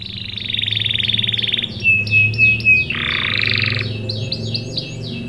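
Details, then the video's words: A canary sings a lure song to set young canaries singing: a long dense buzzy roll, a thin level whistle, a second harsh buzzing roll, then quick rising chirps. A low hum runs underneath. "PANCINGAN KENARI GACOR CUIT CUIT memancing kenari paud ikut BUNYI | CANARY SINGING"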